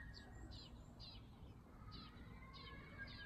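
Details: An unnamed bird of early summer, familiar in yards and village lanes, repeating sharp high downslurred chirps about twice a second, with a faint longer whistle below and steady low background noise.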